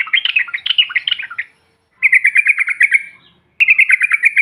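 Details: Yellow-vented bulbul lure recording meant to rouse other birds: three quick bursts of bright, jerky, chirping notes, each lasting one to one and a half seconds, with brief pauses between them.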